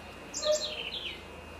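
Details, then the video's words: A great kiskadee (bem-te-vi) at Florianópolis, Santa Catarina, Brazil gives a single loud, harsh phrase of three syllables. It stays high, steps lower with each part and ends in a falling slur. Low background hum is heard. "Pitangus sulphuratus (Tyrannidae) Great Kiskadee: Bem-te-vi"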